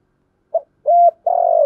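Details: Decoy spotted dove cooing in the rainy season to lure wild birds; a short soft lead note, a level clipped coo, then a long rough rolling coo that falls gradually, close and clean.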